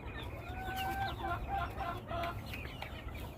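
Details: Chickens in a home flock giving drawn-out, level, tonal notes, then a string of choppy clucks and short squawks over a steady low hum.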